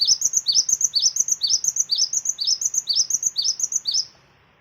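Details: Lure song of a cinereous tit meant to trigger other birds to sing, high clear rising double whistles in an even run of about two per second, ending in quiet.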